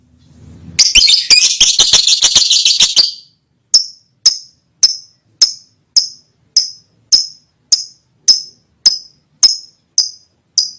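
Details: Lovebird calling a female: a dense two-second burst of rapid, scratchy chattering, then a steady run of sharp, clipped high chirps repeated about twice a second.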